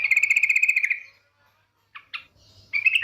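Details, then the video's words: Female yellow-vented bulbul lure call, meant to set other birds singing: a rapid ringing trill of even notes, a silent gap, two short clipped notes, then the quick trill starting again. "TRUCUK BETINA NGETIR panggilan sadis,pancingan agar BUNYI jadikan burung trucukan BUNYI GACOR"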